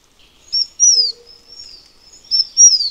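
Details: Taiwan fulvetta, a bird endemic to Taiwan's high mountains that moves to mid-altitude in winter: two pairs of thin, high, descending whistled notes, each a short note followed by a longer sliding one, with a faint low hum.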